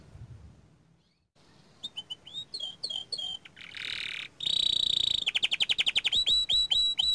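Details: Young canary of small standard type: after a quiet start, scattered whistled chirps and downward sweeps build into a buzzy block, then a steady ringing roll and a fast series of repeated rising notes.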